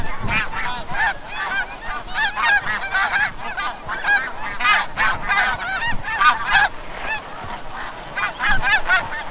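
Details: Snow geese heading in from the bay at sunset, Forsythe National Wildlife Refuge, Oceanville, NJ; a busy, somewhat distant flock chorus of short honks overlapping throughout.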